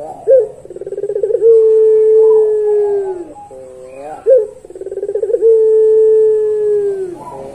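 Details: Two full pelung long-song phrases from a puter dove: short rising note, quick pulsed roll, then a long sustained low coo sliding down, separated by a brief wavering call.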